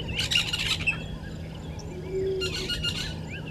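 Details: Violet-backed starling pair at a nesting tree beside Gowrie dam waterhole, Djuma Game Reserve, Sabi Sand, South Africa, at 05:48 on 13 December 2022; two bursts of harsh, buzzy chattering calls, with a steady low hum and quieter background birds.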